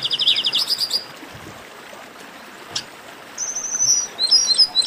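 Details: Chestnut-capped blackbird chorus for warming up singers: a quick trilled burst of high chirps, nearly two seconds of quiet, then a thin, level whistle and tangled high notes building up.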